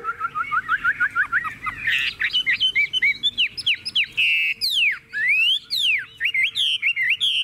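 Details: Tame caged Chinese hwamei singing as its cage is carried: a run of about a dozen short rising whistles, then louder sweeping slurred notes and steep downward and upward whistles in a lively varied phrase.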